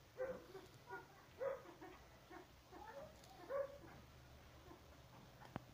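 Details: Male Himalayan monals at the "Tibet" pheasant breeding centre give short, plaintive, slightly upslurred whistled notes, four or five spaced irregularly over a few seconds, against a quiet background.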